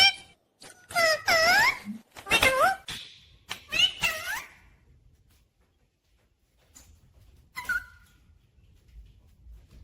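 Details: Pet rose-ringed parakeet talking, said to say mummy papa: a few voice-like syllables with wavering harmonic tones in quick bursts over about four seconds, then quiet with one more short squawk near the end, indoors.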